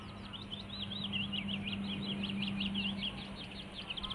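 Willow warbler singing a soft, fast run of sweet whistled notes lasting about three seconds, over a steady low engine-like hum.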